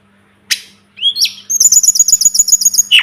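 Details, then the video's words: Sunda robin, called tledekan gunung or sulingan gunung, recorded as a tutor track for songbirds: a sharp note, then a short rising whistle and a steady run of quick high repeated notes ending on a clipped chirp. "Masteran burung tledekan gunung || burung sulingan gunung"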